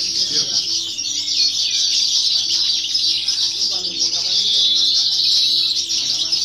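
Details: Singing-competition European goldfinch, a novice bird, 2018 or 2019: lively, rambling twitters and jingling phrases without pause, a few thin whistles mid-way, with indistinct speech and room noise in the background.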